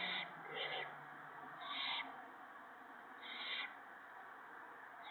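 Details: Night feeding of owlets on March 28, 2017, with an adult owl shredding a gopher for the young. Harsh, high hissing screeches come in separate bursts every second or so, some doubled, against a low constant hum.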